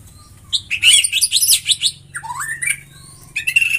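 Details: White-rumped shama song: a dense burst of high, scratchy, jumbled notes, then a clear rising whistle that bends upward, ending with high chattering notes.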